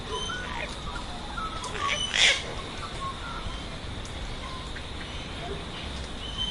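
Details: A White cockatoo (Cacatua alba) gives a single harsh, raspy screech lasting about half a second, over a steady hiss of outdoor background noise.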